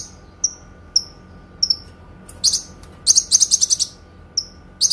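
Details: Kinoi song used to master songbirds, clear and long: thin downward-slurred whistles spaced about half a second apart, then a quick burst of dense high chirps, ending with another whistle and chirp.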